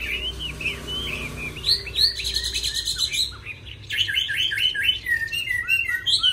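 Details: Chinese hwamei pouring out short looping whistles, broken by a brief harsh buzzy burst, then resuming with bright repeated slurred notes.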